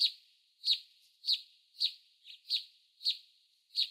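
A canyon wren gives sharp, high, buzzy chip notes about every half second over a quiet background.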